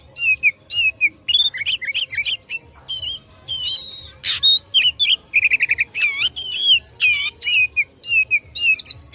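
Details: Fighting song of an Oriental magpie-robin meant to provoke rivals: a dense, fast stream of whistled notes, chattering trills, rising and falling slurs and scratchy bursts with almost no pauses.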